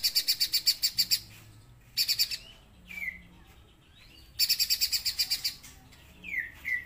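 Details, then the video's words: Streaky-breasted spiderhunter giving a long rapid rattle of scratchy pulses, then shorter chattering bursts, with thin falling whistles in the gaps. "KICAUAN BURUNG PIJANTUNG GUNUNG GACOR"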